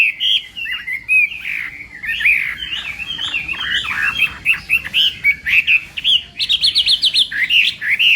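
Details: Chinese hwamei singing in the morning as voice training: loud, rich run of varied whistled phrases, slurred up and down, in quick bursts with short gaps, rising to higher, sharper notes near the end.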